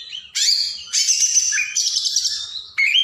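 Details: Oriental magpie-robin singing a caged-bird training song, with high bright whistles, sharp buzzy phrases and trilled notes in quick bursts separated by short pauses.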